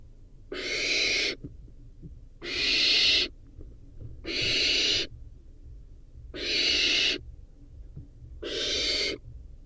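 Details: Five rasping, hissed screeches from a barn owl nestling eating a rodent, evenly spaced about two seconds apart, each under a second long.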